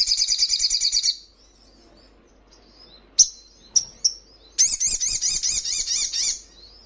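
A sogon gives high, thin, rapid trills of about ten notes a second in two bursts, separated by a few sharp, bright chips.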